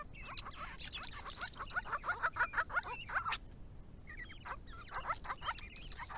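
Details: Grey-crowned babblers of a resident family group at water on a Victorian rural property in the hot months, calling to each other: rapid runs of harsh, chattering downslurred notes, about three per second, in two bouts separated by a brief pause.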